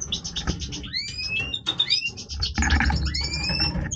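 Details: Major European goldfinch breeding voice: quick buzzy chatter broken by long clear upward-sliding whistles, set against loud low rumbling background noise.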